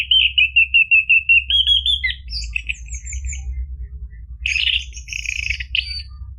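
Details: Lure recording of an orange-headed thrush for a caged bird that has stopped singing. About ten quick evenly repeated notes lead into high thin whistles. After a gap comes a louder jumbled burst of chirps, over faint hum.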